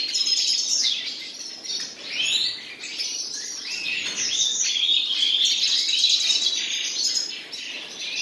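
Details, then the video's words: Common nightingale pair in song, pouring out varied high twittering with sharp rising and falling sweeps, a loud opening burst, a short lull near two seconds, then steady chattering phrases. "моя пара соловьев"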